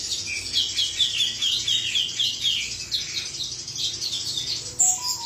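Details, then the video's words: Song of a male cucak cungkok: lively series of high chirped and slurred notes repeated about twice a second, ending with a few separate clearer whistles. "suara jantan burung cucak cungkok"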